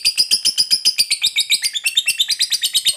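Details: Caged fighter lovebird giving a long 'ngekek' chatter used to provoke other lovebirds into singing: rapid harsh buzzy notes repeated about every tenth of a second for three seconds, steady and loud, drifting slightly lower toward the end.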